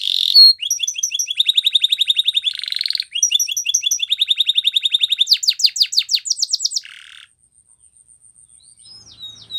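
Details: Canary training song built from fast, evenly pulsed chirping trills at several pitches, with short rasping buzzes between them. It fades to near quiet near the end.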